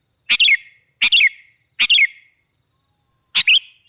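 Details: Sooty-headed bulbul sound used to lure other birds: four short, bright, slightly fluty phrases, three in a fast run and one after a pause, each a quick double note.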